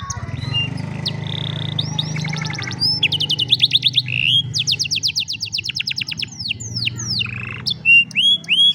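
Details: Afternoon singing of an old canary: whistles and buzzy trills giving way to long fast chirp series and swooping notes, ending with loud pure whistles, over a low hum.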